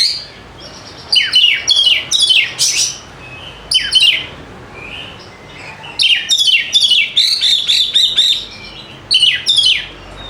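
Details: White-rumped shama singing as a lure for birds that will not sing: loud downslurred whistles and chatter in bursts, then a fast rolling series of looping notes.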